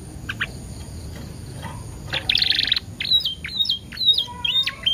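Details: Canary lure song meant to set other canaries singing: scattered sharp chirps, then a loud buzzy burst and a run of quick, bright, rising-and-falling whistled notes, with a faint steady hum behind.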